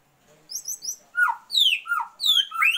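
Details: Female Oriental magpie-robin calling the male to raise his breeding urge: sharp high downslurred whistles and swooping notes, about six in under three seconds, with faint high chirps above.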